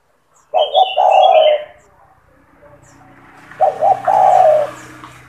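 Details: Spotted dove singing vigorously, a recording to train young doves: two low phrases of paired short notes and a falling coo. Higher bird chirps come before the first phrase, and a steady background hum grows louder.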